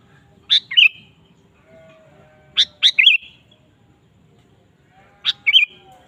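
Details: Sooty-headed bulbul, a lively singer used as a lure to prompt kept bulbuls to sing, also described as calling rivals. Three bursts of fast, bubbling, slurred phrases about two and a half seconds apart, with a faint low hum between.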